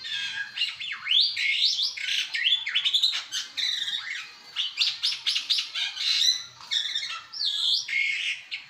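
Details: Black-winged myna with abundant variation, singing even while held in the hand: a rich, nonstop song of varied whistles, squeaky chirps and harsh, scratchy phrases, changing every moment with no pause.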